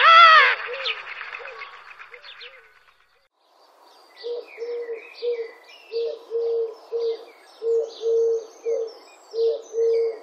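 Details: European turtle doves in Wittlich, 2017, giving low, rolling purring coos in twos and threes, about two per second, after a loud harsh burst at the start; other small birds chirp high above.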